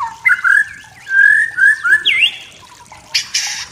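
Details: Wild forest white-rumped shama singing to provoke rivals: several smooth, level whistles and a quick upward flourish, ending with a short harsh rasping burst.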